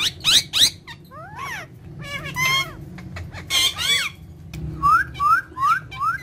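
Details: Ringneck parrots, three kept as pets, giving mixed squeaks and harsh chatter, then a series of four short rising chirps repeated about every third of a second near the end.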